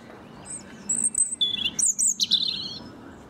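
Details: Robin perched near someone cutting a lawn, unbothered by a loud lawnmower; thin, high warbled phrases leaping between pitches, with squeaky notes and sliding trills packed into two seconds, over a low steady engine hum.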